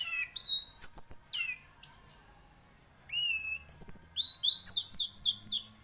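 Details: Orange-headed thrush, a singing champion, sings a fast varied sequence of clear high whistles, downslurs and trilled notes, nearly four notes per second.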